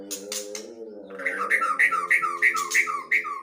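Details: Long-tailed white-rumped shama repeating a clear two-note whistled phrase, high then lower, about three times a second, over a sustained tonal hum, after a few brief sharp calls at the start.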